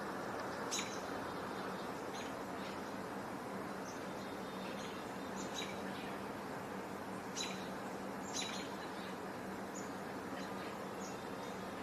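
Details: Several chickadees calling at dusk on 12 June 2024: brief, high chirping notes scattered every second or two, faint against a steady hiss of evening background noise.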